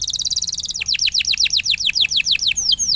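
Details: Canary song used to stimulate a quiet canary into singing: a fast trill of high notes, then a run of repeated downward-sweeping whistles about five per second, ending in two longer slurred whistles.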